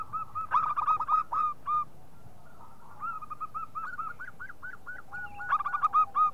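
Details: Local zebra dove calling as a lure for other doves: loud staccato bursts of short coos, a quieter stretch of evenly spaced soft hoots, then another rapid bubbling flurry over a lower steady tone.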